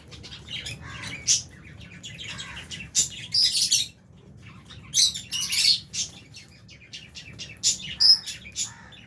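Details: Lovebirds, including Fisher's and albino birds, in an aviary eating food alongside budgies; dense bursts of high, sharp chirps and squeaky tweets come in clusters every second or two over a low background hum.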